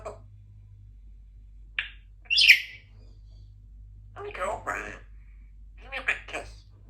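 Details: A female Congo African grey parrot kept as a pet in a country home practises words and sounds in the morning. A short nasal note comes first, then a sharp squawk, and later speech-like talking phrases over a steady low indoor hum.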